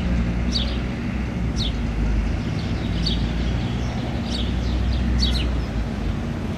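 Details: House sparrow fledgling foraging on a lawn in Helsinki, Finland, in June 2013, giving thin, high, downward chirps about once a second, five in all, over a steady low rumble of traffic.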